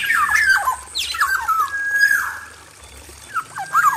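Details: A male black-naped oriole in an aviary, recorded for use as a lure, gives rich, fluting whistles and harsher squawky notes, with slurred phrases rising and falling in quick succession; a faint low hum runs underneath.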